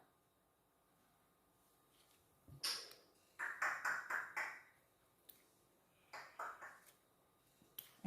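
Soft speech and a few small clicks and taps from handling objects indoors, with no animal sound.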